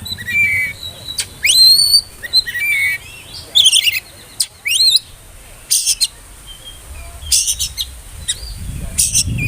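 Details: Oriental magpie-robin, the spotted juvenile form, whistling as a lure to get young birds singing: bright rising and falling whistles with sharp chirps in bursts separated by short pauses, faint low hum beneath.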